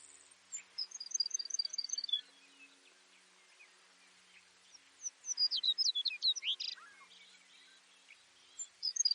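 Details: Baird's sparrow song, faint, from a North American bird: a quick series of high, evenly spaced notes, then a pause and a jumble of sharp, varied chirps, with more high notes at the end.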